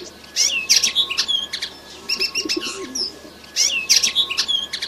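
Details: Red siskin youngster singing energetically: repeated phrases of bright high chirps, whistled upslurs and fast twittering, each lasting about a second and a half and separated by short pauses.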